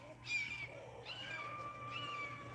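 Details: A hawk near a backyard chicken flock gives thin, high whistled calls that slide slightly downward, two drawn-out notes a second apart, over a low steady hum, and the chickens fall silent.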